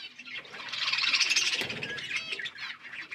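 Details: Feeding parrots give a dense, rapid chatter of high twittering chirps, swelling to a loud overlapping mass in the middle before thinning out.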